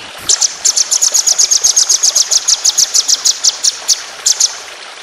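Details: White-rumped shama in a training recording for songbird contests, singing a long rapid 'tembakan' roll-speed burst: about thirty high, sharp notes fired in an even string for over four seconds, with a faint background hiss.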